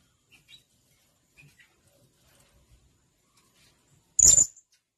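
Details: ['Faint scattered ticks and soft background noises, then a blue-crowned hanging parrot gives one loud, sharp, very high note near the end.']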